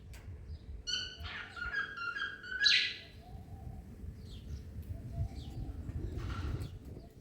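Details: Cockatiels at singing practice whistle a quick run of clear, ringing notes, then a harsher chirp, over a low background rumble.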